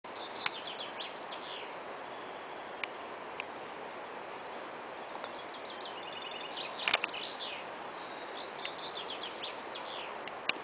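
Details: A fledgling common chaffinch being fed by its parent gives thin, high, rapidly repeated begging calls in short bursts over a steady background hiss.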